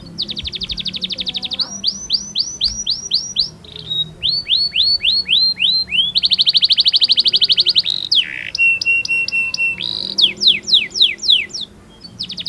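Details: Kept canary singing a tutor song: loud, bright rolling trills of rapidly repeated swooping notes, switching between fast buzzy rolls and slower chopped sequences, with a brief low whistle between phrases.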